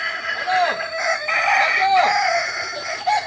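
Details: Group training of Kokok Balenggek chickens in Ampang Kualo, Solok city, West Sumatra; rapid overlapping crows built from short arched syllables, several roosters sounding continuously.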